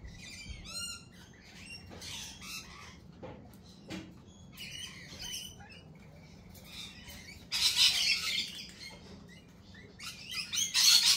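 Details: Lorikeets at a cafe, several birds giving harsh, high screeches and short chattering bursts, some loud noisy squawks late on, with faint clatter and a low background hum.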